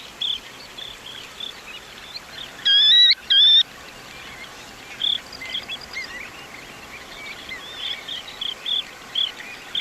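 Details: Baird's sandpiper (Calidris bairdii) flight call: two loud, rolling, high trilled notes in quick succession, with faint high chips repeating in the background over a steady outdoor hiss.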